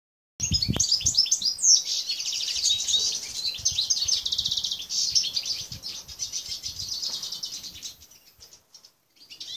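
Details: European goldfinch of the Balkan subspecies balcanica, kept in an aviary, recorded 13 June 2014: a fast, bright twittering song of tinkling, buzzy high notes running almost continuously for eight seconds, with a few low thumps early on.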